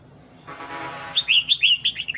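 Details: A brief rushing noise gives way to a female red-whiskered bulbul's rapid string of bright, bouncing chirps, uttered to excite a male bird.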